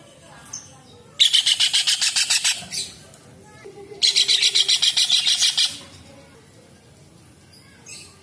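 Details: Kingfisher calling in two rapid, evenly paced bursts of about twelve rasping notes each, in a recording meant for tutoring songbirds. Quieter background between the bursts.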